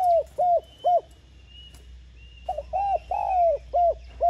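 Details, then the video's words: ['Spotted dove giving its coo to urge newly caught doves to call: three short husky coos, a pause with a thin high whistle behind, then a fresh phrase of quick notes and one long falling coo.'] "Tiếng Cu Gáy Giọng hay GỌI +THÚC Dục BỔI Kích Bổi Nhanh Nổi.Chim Cu Gáy Giọng Hạp Bổi.Cu Đất Gáy"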